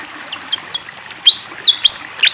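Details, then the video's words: Fantail flycatcher beside flowing water: a few soft, scattered high notes, then louder upswept whistles and chirps in quick pairs over a constant watery hiss. "SUARA BURUNG SIKATAN KIPASS GACOR DENGAN SUARA AIR MENGALIR"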